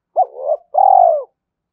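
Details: A single spotted dove coo phrase meant to provoke a rival: a short hooted note sliding into a soft wavering murmur, then a long, rolling, purring coo that fades out.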